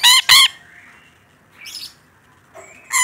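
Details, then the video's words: Rainbow lorikeet calling actively: two loud, nasal, harmonic screeches at the start, softer scratchy notes in the middle, then another strong screech at the end. "Suara Burung Nuri Pelangi Gacor"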